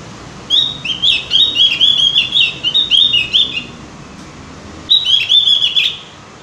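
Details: Lure recording of Javan grey-throated white-eye song to get birds singing diligently: a three-second burst of fast, chattering slurred whistles, a pause, then a shorter similar burst.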